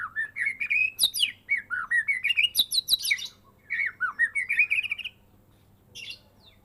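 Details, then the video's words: Caged murai medan, the white-rumped shama from Medan, kept since a fledgling and singing fully after its first moult: fast strings of rising whistled slurs mixed with high sharp chips, then a brief pause and a lone high note. "Murai medan gacoor full isian"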